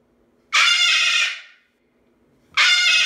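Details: A pet Moluccan cockatoo demonstrating how loud a parrot can be gives two long, piercing, raspy screams, the first lasting about a second, the second starting after a short silence.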